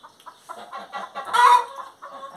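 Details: Singing hen: a run of short clucks building into one loud drawn-out squawk, then quieter clucking again.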